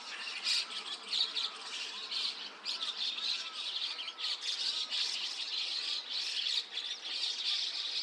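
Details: Mixed flock of white-cheeked starlings and chestnut-cheeked starlings at 5 a.m., 29 June 2026, Rikuzentakata's Takata-cho, Japan; unbroken shrill chattering and squawks from many birds, with soft down-slurred whistles underneath.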